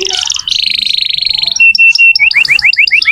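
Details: Actively singing canary, used as a lure for young or silent canaries. It opens with buzzy rolls and a long steady trill, then sharp high notes and quick rising slurred notes.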